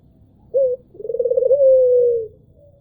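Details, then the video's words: Albino Barbary dove cooing melodiously: a short low note, a pause, then a rolling, pulsing coo that settles into a long, smooth, drawn-out tone, all low-pitched and clean, with faint low room rumble. "PUTER ALBINO ll SUARA MERDU BURUNG PUTER"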